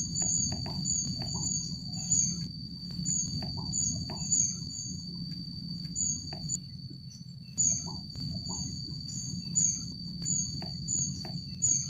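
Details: High, sharp squeaky calls of a Rufous-backed kingfisher, recorded at Jatimulyo bird conservation village, repeated in quick irregular runs with a short pause midway; a constant shrill insect tone and low background rumble run underneath.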